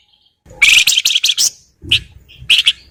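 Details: Flowerpecker in full song, used to prompt other birds to sing: sharp, high, buzzy chirps in quick clusters, a pause, then a few thin, bright notes.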